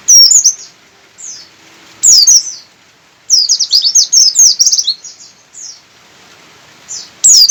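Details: Javan white-eye, buxtoni from Sukabumi, singing insistently: scattered high slurred phrases, then a long, dense burst of rapid, jumbled twittering notes mid-clip, and a final sharp descending phrase.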